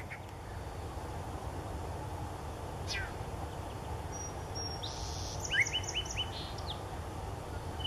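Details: Yellow-breasted chat, a first record for Magnuson Park, giving its complicated chorus: a lone downward sweep, then a quick burst of short, bright, clipped notes, faint against a strong steady rushing background noise.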